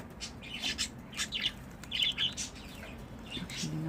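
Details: Pet budgerigars trade short, scratchy chirps and warbled twitters in quick irregular bursts, with a soft low hum underneath.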